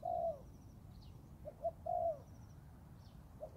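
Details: Young Thai-type spotted dove training in the forest: a long, low drawn-out coo, then two short soft notes leading into another long coo, with faint thin chirps of other birds high above.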